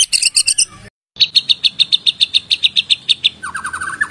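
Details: White-rumped shama song as a lure to prompt full singing: a dense burst, a brief silence, then sharp high notes repeated about five times a second, ending in a lower rising trill.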